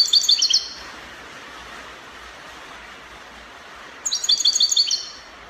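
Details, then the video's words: European goldfinch singing Spanish copia style, Morocco: two short bursts of high, rapid tinkling twitters separated by about three seconds of quiet background hiss. "Chardonneret copia Morocco من أجمل تغريد الطائر الحسون تغريد كوبيا إسباني"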